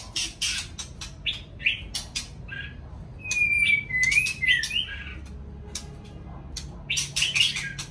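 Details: White-rumped shama singing in the morning: a brief run of clear, slurred whistles in the middle, rising and falling, surrounded by frequent sharp broadband clicks and rustling bursts.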